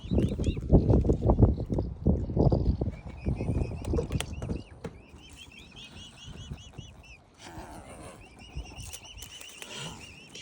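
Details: Hungry swan cygnets, five young with their family, give thin, rising-and-falling peeps repeated rapidly throughout, over heavy low rumbling and bumping noise in the first half.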